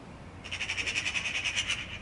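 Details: Harsh staccato chatter of a Eurasian magpie: a quick string of about thirteen grating notes lasting about one and a half seconds, steady in pace, over faint low rumble.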